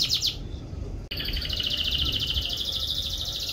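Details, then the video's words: Canary giving a brief high chirp, then after a sharp click a long, fast, even trill that runs steadily at a high pitch with a faint rasp. "Canary Bird Song"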